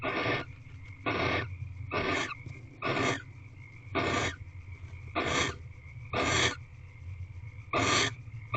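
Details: Inside a nest box on the evening of 28 February 2023, a reclining female barn owl repeats broad, raspy hissing screeches about once per second, nine bursts in total, over a continuous low mechanical hum.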